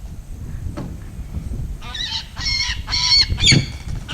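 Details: Captive, unreleasable female peregrine falcon at a raptor education program, Milford, Pennsylvania, noisy at first, giving harsh, grating calls in quick bursts about twice a second over a steady low room rumble.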